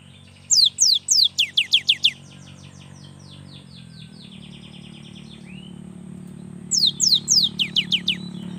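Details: Young cinereous tit, used to spur lazy birds into song: a fast run of sharp falling whistles trailing into softer notes, then a second burst later, over a low background hum.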